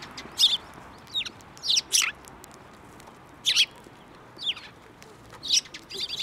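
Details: At a Tenmangu shrine on 15 March 2024, sparrows fly onto an outstretched hand to be fed, giving loud, harsh, high chirps in irregular bursts, roughly every half second to second.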